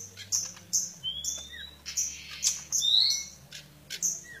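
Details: Oriental white-eye (decu kembang) in fight singing: sharp high chips repeated about twice a second, with thin rising whistled slurs between them over a low background hum.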